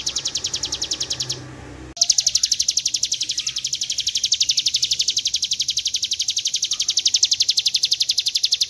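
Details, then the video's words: A mountain prinia (ciblek gunung) in a training recording gives a long, high, buzzy trill of rapid even pulses, about four a second, with one brief break near the start. "Ciblek gunung ngebren panjang"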